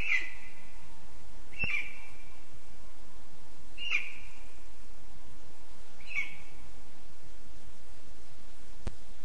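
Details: A lesser spotted eagle chick at its nest in a spruce in Zemgale, Latvia, on 15 August 2024, gives four short, high, piping yelps roughly every two seconds over a low steady rumble of background noise.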